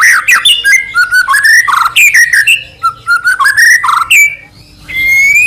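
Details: White-rumped shama in full varied song, used to trigger another shama to sing: rich run of whistled slurs, sharp chips and warbles with little pause, ending on a long rising whistle.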